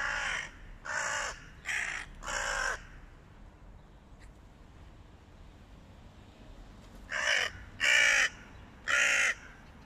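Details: Hooded crows in a flock fight a stray cat, calling with hoarse, grating caws: a rapid run of four, a silent gap of about four seconds, then three more loud caws.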